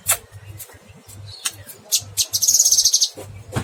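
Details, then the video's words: Cucak kinoy in full song, long shooting phrases: sharp chirps and clicks leading into a fast, buzzy high trill lasting about half a second, then a final chip, with a low mechanical hum underneath. "Burung cucak kinoy gacor"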